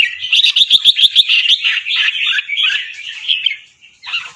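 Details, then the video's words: Caged fancy albino Red-whiskered bulbul, white with red eyes, from a competition line in Chonburi, Thailand, singing a training song. A fast run of short repeated chopped notes, about three per second, then looser bright warbled phrases with brief gaps. "นกกรงหัวจุกแฟนซี เผือกขาว ตาแดง เจ้าฉลามชล เสียงร้องเบิ้ลๆ ริกๆ สับไว"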